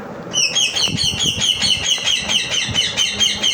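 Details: A parrot gives a rapid series of shrill, harmonic chirps, a little over two per second, steady throughout, over a low rumble of traffic.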